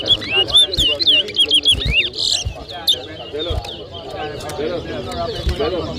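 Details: Two caged towa towa (chestnut-bellied seed finches) in a whistling competition in New Amsterdam, Berbice, Guyana, 2023. Clear, quick slurred whistled notes rise and fall over the first three seconds, then fade under crowd chatter and background noise.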